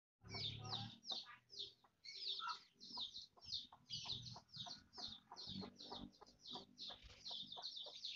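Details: Mother hen scratching and foraging for food, with a dense run of high, thin peeps about two per second over softer low clucking and scratching noises.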